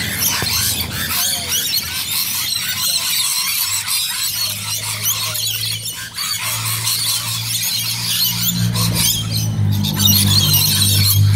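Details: Busy gathering of rainbow lorikeets in Bonnyrigg: a nonstop wall of sharp, scratchy screeches, joined later by a droning low hum.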